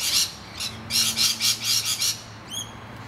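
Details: Distressed rainbow lorikeets defending their tree hollow from attacking noisy miners, possibly with eggs or chicks inside, give about seven harsh, grating screeches in quick succession, then a short downslurred whistle from another bird.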